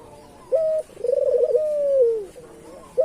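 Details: Island collared dove, a local puter bird used to lure other doves, giving a brief clipped note then a rolling, wavering coo that settles into a long, gently falling tone before the next phrase begins.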